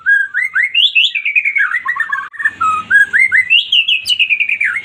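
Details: White-rumped shama song used to spur a silent bird into singing: a steady stream of rich, rapidly repeated whistled notes climbing and dipping, with faint low background rumble midway.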